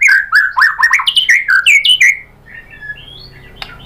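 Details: White-rumped shama (murai batu) lure song meant to provoke other shamas into rapid singing: a quick run of loud, slurred whistled notes rising and falling around mid-high pitch for two seconds, then quieter thin whistles trailing off.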